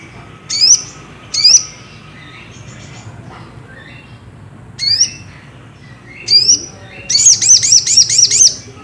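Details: Ruby-cheeked sunbird lure song meant to stir another bird into singing: separate sharp, high upsweeping notes spaced about a second apart, then a fast run of six or seven rapid, piercing chips at the end.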